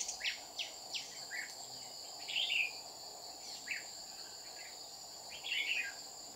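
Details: Red-whiskered bulbul confronting a decoy at a trap, Đồng Nai, Vietnam, 30 July 2019. Scattered brisk downslurred notes and two fuller chattering warbles, backed by continuous high-pitched insect noise.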